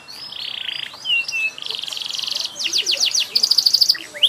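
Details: Canary in lively, varied song: buzzy trills, a slurred whistle, a rapid rattle of clicks, then a sharp series of bright repeated pips.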